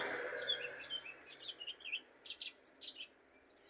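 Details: Mountain white-eye, known locally as pleci dakun, from Pacitan: a quick, irregular run of thin, high chirps and short swept notes, some twittering and trilled, over a low steady background hum.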